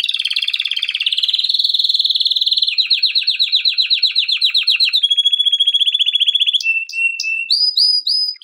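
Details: Male Belgian canary, recorded for song training, sings a long, unbroken song of fast rolling trills at high pitch, shifting between buzzy rattles, steady warbled tours and clear piping notes.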